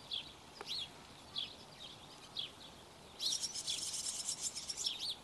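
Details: Barn swallow feeding: single high chirps with sharp upward-downward inflections, then a dense burst of rapid high twittering near the end, over a faint hiss.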